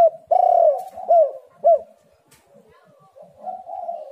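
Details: Spotted dove used as a lure to make doves call. A loud drawn-out coo is followed by two shorter, clipped coos, then softer trailing cooing notes.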